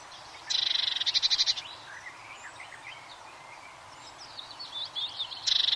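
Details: Eurasian blue tit song: a fast, high, buzzy trill of quickly repeated notes for about a second, then quiet varied twittering from other birds before the same trill starts again at the end.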